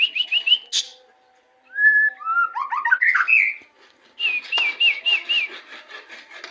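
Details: White-rumped shama, Indonesia: short whistled phrases of rising and falling slurs, then a repeated wavering warble of about seven even notes, with a click and faint background hiss.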